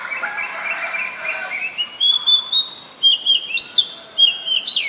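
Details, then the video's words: Oriental magpie-robin in Ubon Ratchathani, Thailand, 7 January 2021, a very common resident: after lower harmonic crowing, a rising string of sharp whistled notes climbs higher, with quick chips and slurred downward whistles near the end. "นกกางเขนบ้าน (Oriental Magpie Robin)"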